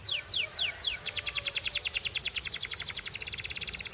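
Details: Belgian canary song: a few slow, high descending sweeps give way to a fast, steady trill of repeated sharp notes lasting about three seconds.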